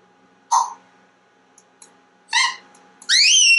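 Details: Talkative male pet African grey parrot kept indoors, here giving three separated sounds: a short squeak, a harmonic-rich squawk, then a bright rising whistled note with overtones at the end.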